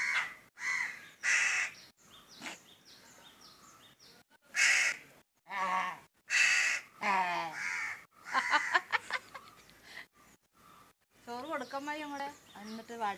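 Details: A crow, described as trying to imitate a woman's voice, gives harsh, broadband caws in short bursts. These are interspersed with warbling, voice-like harmonic phrases rising and falling, with brief silences between sounds.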